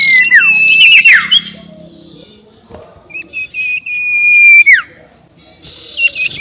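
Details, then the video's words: Sirtu ngekek call played as a lure to rile rival birds: a whistle that drops steeply, a brief lull, then a long level whistle ending in a sharp fall. "SUARA NGEKEK SIRTU BIKIN LAWAN EMOSI || PANCINGAN SUARA BURUNG SIRTU"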